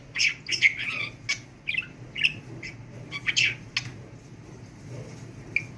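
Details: Trained pet budgerigar chatters in short scratchy phrases and squeaks, louder at first and then softer toward the end, indoors over a steady low hum.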